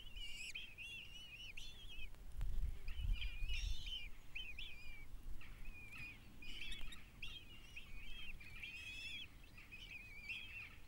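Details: Begging kestrel chicks fed by their mother once the male brings food, a long series of wavering, trilling whines repeated roughly twice a second, voices overlapping, with a low rumbling noise and occasional knocks.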